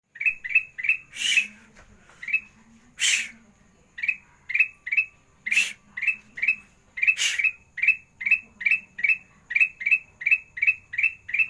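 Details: Sooty-headed bulbul master song in the sandang garigit style, meant to get lazy birds singing: short sharp chirps repeated about twice a second, broken by four loud harsh bursts.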